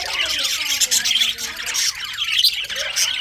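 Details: Budgerigar chatter recorded in winter: bright, busy chirps and short squeaky squawks pile over one another, with faint lower wavering tones beneath.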